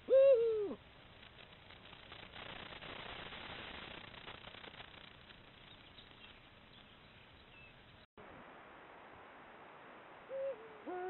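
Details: Eurasian eagle-owl on a camera trap at the start of the breeding season, giving pairing calls. A loud deep hoot opens, long rustling background noise follows, then a fainter hoot near the end.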